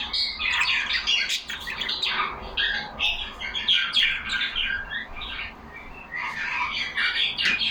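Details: Several caged pet budgerigars talking among themselves with a steady, lively jumble of squeaky chirps, buzzy warbles and sharp squawks, dipping briefly before building again.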